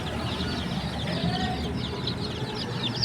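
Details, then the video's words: Baby chickens in a short burst of overlapping high peeps, steady and busy, over low background noise. "The Chirping Sounds of Cute and Funny Baby Chickens"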